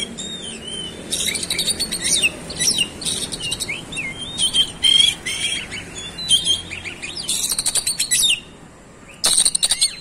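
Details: Kacer singing strongly in 'roll speed' style, unloading its 'isian' repertoire: continuous mix of rapid trilled bursts, shrill whistled notes and chirps, a short pause near the end before another loud burst.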